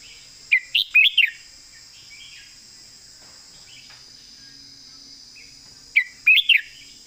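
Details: Red-whiskered bulbul master song for competition birds: a quick phrase of four bright warbled notes, a long gap, then a similar phrase repeated, with a steady high-pitched drone throughout.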